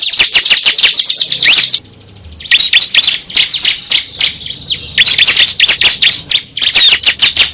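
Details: Cible bird lure sound: rapid high chirps and twitters in dense bursts, a quieter pause near two seconds, then more sharp notes and whistled upslurs, loud and close.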